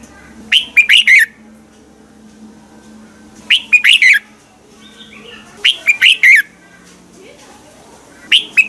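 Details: Red-whiskered bulbul morning song for training other birds to sing. Four clear phrases of rapid, slurred whistles come roughly every two and a half seconds over a faint low hum.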